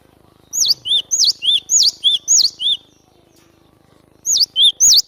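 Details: Cinereous tit singing vigorously, its song used to lure the same birds for trapping. Seven bright, quick two-note whistled phrases alternate high and low notes, then a silent gap and a further burst of three phrases.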